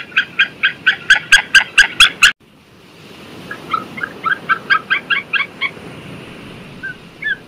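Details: White-tailed sea eagle giving a fast series of sharp yelping notes that stops abruptly after two seconds, then resumes more softly as a quicker, fainter chatter of yelps before fading out.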